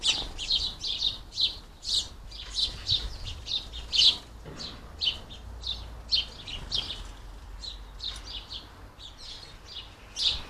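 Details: Many hungry house sparrows busy at a squirrel-proof garden bird feeder in the UK; a steady stream of short, bright chirps repeated in quick succession, several birds overlapping, with faint low background rumble.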